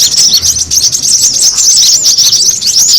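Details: Excited brown-throated sunbird chatter played as a bird lure: quick, thin, high twitters and curling chirps packed tightly together without a break.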